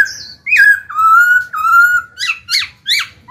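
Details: Black-throated laughingthrush in a cage, singing to prompt newly caught birds to open up: long clear sustained whistles, slightly wavering, followed by three short sharp rising-falling notes.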